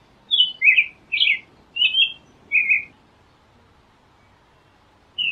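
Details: American robin song with five warbled whistled phrases in quick succession, some slightly burry, followed by a silent gap and the start of another phrase, with faint low background hiss.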